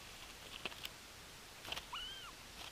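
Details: Bermuda petrel on Nonsuch Island, 13 April 2020: one drawn-out tonal call about a third of a second long, rising slightly then sagging at the end, with a clear overtone. A few sharp clicks and taps come before it over quiet background hiss.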